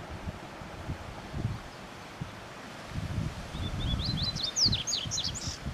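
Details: A yellow-bellied seedeater in the wild gives a quick burst of high, thin chirps and sweeping notes in the last two seconds, over low rumbling wind and rustling.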